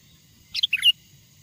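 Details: A single short sooty-headed bulbul phrase from a wild bird's lure song: four quick liquid notes, bubbly and whistled, ending on a clear high note.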